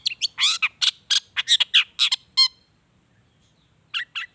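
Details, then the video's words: Long-tailed shrike in lively song packed with natural mimicked fill-ins, used as a lure to get reluctant shrikes singing: a rapid burst of harsh, buzzy and chattering notes for about two and a half seconds, a pause, then two short sharp notes. "SUARA CENDET GACOR ISIAN ALAM"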